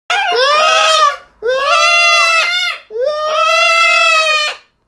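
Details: Pet macaw and a man in a screaming competition in London, England, on 18 June 2020: three loud, harsh screams, each over a second long, about every one and a half seconds; some may be the man's.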